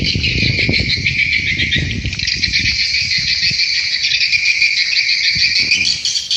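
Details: Swiftlets at a swiftlet house. A dense, continuous buzzy chirping chorus fills the whole recording with thuds and low rumbles underneath.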